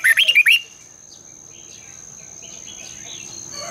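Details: Lure song of a red-whiskered bulbul recorded in the morning, in a long twisted double voice: a short, lively string of four rising whistled notes at the start, followed by faint scattered chirps.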